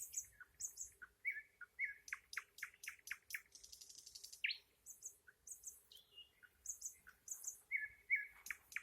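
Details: Song of a nightingale: quick, varied phrases of sharp chirps, short whistles and a brief dense trill, delivered almost without pause, with repeated high clicking notes throughout.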